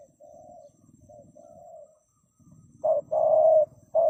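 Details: Soft, distant doves coo quietly at first over a low rumble, then a loud nearby Spotted dove gives a short coo, a long steady coo, and another short coo.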